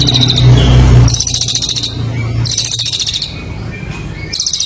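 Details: Songbird kept for singing competitions, heard on a master recording for training birds: sharp, high chattering bursts of rapid pulses, repeated after short gaps, over a low background hum.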